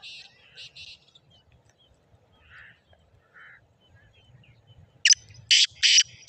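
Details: Black francolin calling, recorded 14 March 2024. Soft scattered notes come first, then a loud burst of harsh, grating multi-note calls near the end, over quiet low rumble.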